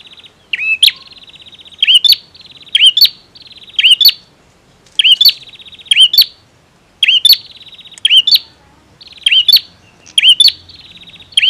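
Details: Energetic male bar-winged prinia delivering about ten loud phrases in quick succession, each a whistled upslur and a sharp click, joined by steady buzzy trills.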